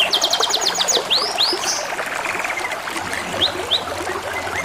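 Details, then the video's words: Canary sings beside flowing water: a fast rattle of identical high notes, two looping upward swoops, then a softer rolling trill and scattered chirps. "TERAPI SUARA KENARI DAN SUARA GEMERICIK AIR | CANARY SINGING"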